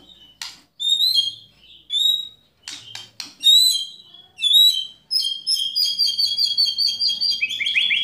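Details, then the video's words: Murai batu (white-rumped shama) kretekan and tembakan song meant to provoke rival shamas: short whistled notes and clicks, building into a fast, sustained rattling trill toward the end. "Kretekan Dan Tembakan Murai Batu Memancing Emosi Murai Langsung Gacor"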